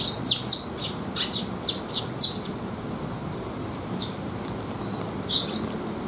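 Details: On a rainy 3 September 2021, sparrows arriving at a rest area to be fed give scattered short, bright chirps, several close together at first and then single notes spaced out, over a steady rushing background of rain.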